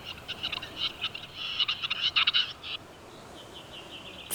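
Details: A male capercaillie in Serbian forest giving his mating call to woo hens, high in a tree: bursts of dry clicks and high scraping, gurgling notes over about three seconds, then softer calls fading out.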